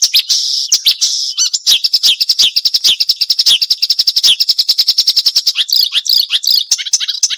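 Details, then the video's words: Marsh warbler in a sharp, varied training song for shama and magpie-robin, including sharp 'crecetan' chatter: a long, rapid, unbroken chattering trill of high, harsh notes with twisting whistles at the end. "Masteran Burung Suara Tajam - Masteran Nembak Tajam - Mars Warbler"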